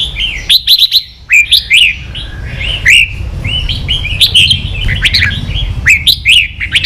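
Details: Competing caged red-whiskered bulbul pours out lively, fast warbling phrases of clear whistles with upward and downward slurs, repeated in bursts roughly every second, with low background rumble.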